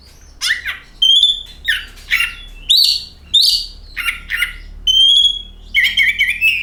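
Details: Oriental magpie-robin song as a lure for singing birds: a rich mix of harsh squawky notes, pure ringing whistles with overtones and scratchy trills, phrases spaced by short gaps.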